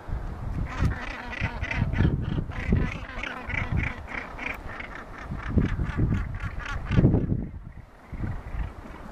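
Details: Northern gannets (Morus bassanus) on Mykines, Faroe Islands, in 2015 give harsh, rasping, repeated calls, several overlapping in a steady chatter, over low wind rumble.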